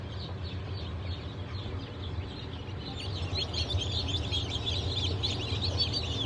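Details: Newly hatched chicks of Legbar, Silver Wyandotte, Sussex and GSG Wyandotte breeds, hatched 28 June 2023; high thin peeps start sparse, then become a dense, rapid chorus from about three seconds, over a steady low machine hum.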